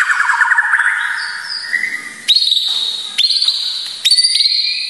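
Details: White-rumped shama song used to train and stir emotion in other birds: a descending stuttered phrase, then three sharp high whistled notes, each starting abruptly and holding steady.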